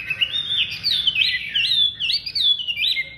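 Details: Loud song of a Chinese hwamei: clear, sweeping whistled slurs and twisting notes strung tightly together in a short, vigorous burst.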